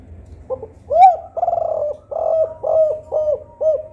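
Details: Spotted dove singing a lively kuk 4 style song, used as a lure to prompt quiet doves into singing. A short soft coo, then a loud rising note and a run of about five mellow, low cooing notes, each ending in a dip.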